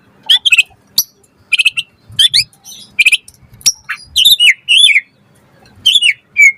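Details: White-rumped shama singing energetically, used as a lure to make other shamas answer and sing: quick bursts of sharp high chirps and rising whistled notes, separated by short pauses, with faint low background rumble.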